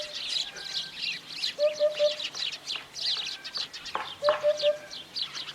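Eurasian hoopoe giving its soft, low hollow 'oop-oop-oop', three even notes repeated twice, over busy high chirping from other small birds.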